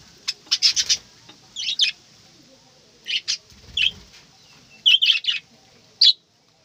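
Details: Morning chatter of budgerigars in an aviary: short, high, scratchy chirps in clusters of two to four notes, separated by brief quiet gaps, over a faint background of other bird twitter.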